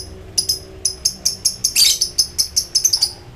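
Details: Excited lovebird in full ngekek chatter while calling rivals: a fast string of short, harsh, high squeaky notes, roughly six per second, with one longer rasping burst in the middle.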